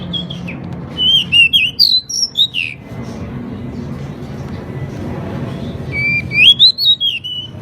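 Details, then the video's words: Caged pied bushchat (decu) in loud song: clear whistled notes that rise and fall in quick runs, a pause with faint hum, then another bright burst of whistles and chirps. "Burung decu gacor"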